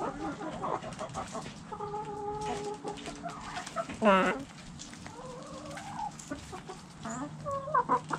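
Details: Backyard hens clucking and calling: drawn-out nasal calls and short clucks from several birds, with one loud rising squawk in the middle, over a steady low hum.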